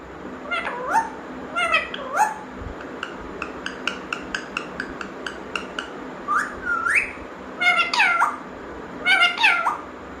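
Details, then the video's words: Pet talking parrot indoors, giving rising and falling harmonic whistled calls with short sharp clicks repeated between them, some calls sweeping steeply upward, in loose bursts over a steady faint background hum. "talking parrot sound"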